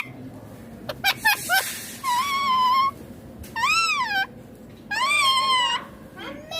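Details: Ringneck parakeet vocalizing while feeding: a few quick clicks, then three drawn-out, wavering, whistle-like notes, each close to a second long and rising and dipping in pitch, with short pauses between.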